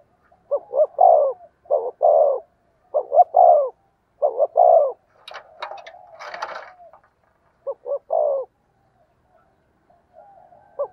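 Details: Spotted dove cooing loudly, a voice said to draw wild doves in; phrases of two or three short clipped notes ending in a longer falling coo, repeated about every 1.5 seconds, with a brief rustling disturbance midway.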